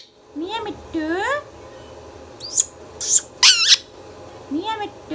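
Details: Talking pet Indian ringneck parakeet indoors producing nasal, speech-like arching syllables, then a burst of harsh high squawks, and a final speech-like phrase.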